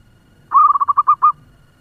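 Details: Fast-singing local zebra dove used to lure and excite other doves: one brief rolling burst of about seven soft, slightly rising coo notes packed into under a second, with a quiet low hum behind.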